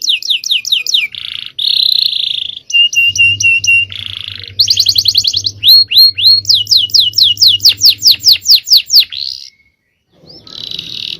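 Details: Male canary singing a long, powerful champion-style song used as a training lure, with rapid repeated downslurred trills, buzzy bursts and sweeping whistled phrases, fast and varied, with a low hum beneath part of it.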